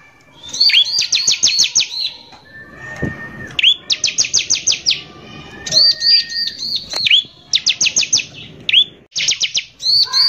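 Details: Bar-winged prinia's rough 'nembak kasar' lure song, used to make other prinias agitated: repeated bursts of six or seven quick, piercing high notes, each followed by a curling chirp, with one long lower whistle between phrases.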